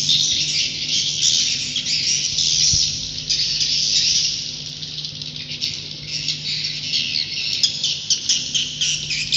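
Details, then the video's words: Roosting call of swiftlets: a steady, hissing mass of high chirps that stays loud for the first half, then thins into looser, flickering twitters, with a low hum and one brief thump. "Suara Inap Walet"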